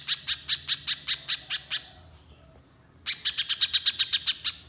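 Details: Persistent 'nembak' style song of a Little spiderhunter, a lure recording meant to set other birds singing: two fast runs of bright, high chip notes, about eight to ten each, broken by a second-long quiet gap.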